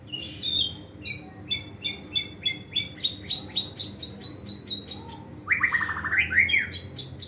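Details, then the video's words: White-rumped shama rehearsing song full of copied fill-in phrases: a long series of sharp paired chirps repeated about twice a second, then a rich sweeping whistle that climbs and falls, ending in high notes. "murai batu pastol belajar gacor bongkar materi!! isian ngeri bos"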